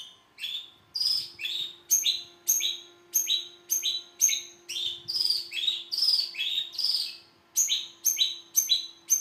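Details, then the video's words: Long-tailed shrike delivering rapid rasping phrases, scratchy downward-sliding notes stacked on higher whistled tones, roughly two per second with one brief pause, over a steady low electrical hum. "burung cendet"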